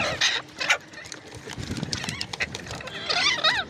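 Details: Ringneck parrot calling: a pair of loud harsh screeches at the start, then a quieter scratchy stretch, ending with shrill, wavering, upward-bending squeals.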